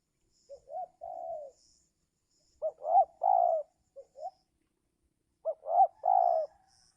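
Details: Spotted dove used to lure wild birds in the giring season, when wild doves come down reluctantly. Three hoarse, mellow cooing phrases, each a quick double note then a longer falling coo, sound about every two and a half seconds in a quiet setting.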